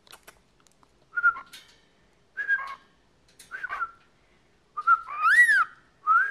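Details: Male pet cockatiel, aged 14 and constantly vocal, repeats short level whistles about once a second, ending with a louder rising-and-falling whistle and a final upslurred note.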